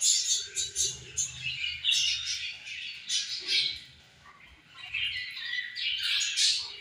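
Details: Several budgies eating and playing together give pulsing bouts of squawky, chirping chatter, repeated in quick swells, with a short quieter gap before a final burst.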